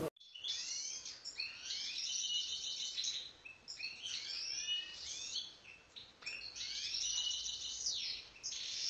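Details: Wild European goldfinch singing together with a canary: rapid high twittering, liquid trills and buzzy rattles in bursts of two to three seconds, broken by short pauses.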